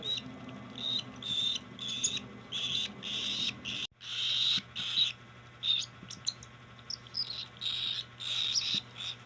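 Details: Cockatiel chick begging during hand feeding: rapid, harsh, high rasping bursts around four kilohertz-range pitch, repeated in quick pulses with short gaps, a steady low hum underneath.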